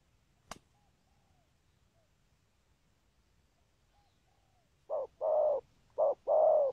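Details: Spotted dove 'thúc gù' coos in a patterned song. A click and a few faint thin whistles open a quiet stretch, then two loud short-long coo pairs close the recording.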